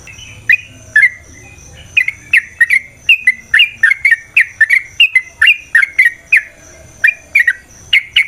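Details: Yellow-vented bulbul (trucukan) song for provoking fighting: spaced bubbly whistled notes building into a dense, chattering run of slurred phrases, loud and clear.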